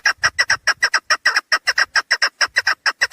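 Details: Female chukar partridge call, recorded for luring birds when hunting: sharp, clucking chuk notes, often paired, repeated rapidly and evenly throughout.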